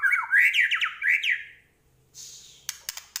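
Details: Medan-type white-rumped shama singing 'gacor' with 'isian' fill-ins: a rich rush of loud slurred whistles for about a second and a half, then a thin hiss and a few crisp clicks.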